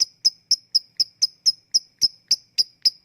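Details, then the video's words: Lovebird "ngetik" ticking, used as a lure to make lazy lovebirds sing: sharp, evenly spaced high clicks at about four per second, with no other sounds. "Ngetik lanjut ngekek@Pancingan untuk Lovebird yang malas bunyi"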